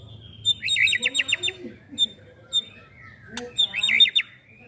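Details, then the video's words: Young caged white-rumped shama singing fast rattling trills of clipped notes, two bursts separated by scattered single chips and a sharp click, with faint low hum behind. "MB MUDA CALON MERAMAIKAN TIANG BESI DI KELAS NY COCOK BUAT PELAPIS"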